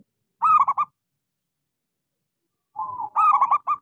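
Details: Local zebra dove with a small, lively voice, used as a lure to prompt silent doves to sing: two bursts of rapid, stuttering mellow coos, the second opening with a short lead-in note, about two and a half seconds apart.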